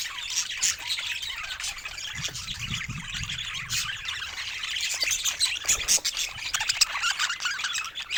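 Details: A group of pet budgies chatters continuously, with rapid high chirps and squawks tumbling over one another and a few louder sharp notes near the end.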